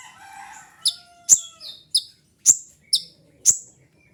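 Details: Piercing high chips of a kolibri ninja sunbird, a training and lure sound, repeated about every half second after a soft lower whistling at the start.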